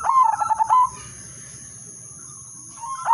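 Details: Udanmas silver zebra dove giving its melodious lure song to set other zebra doves singing: a quick bubbling run of low cooing notes for about a second, a pause, then the next phrase starting at the end, over a constant thin electronic tone.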